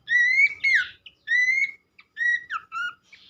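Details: Horsfield's Babbler training song meant to make other babblers sing: three separate clear whistled phrases, each a level or gently rising note ending in a quick drop, with silent gaps between.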